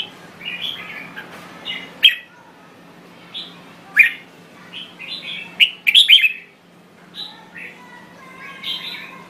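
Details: Red-whiskered bulbul from Thailand delivering a run of quick warbled phrases, rich fluty notes mixed with sharp chirps, the densest tangle mid-way, then softer trailing phrases over a faint low hum.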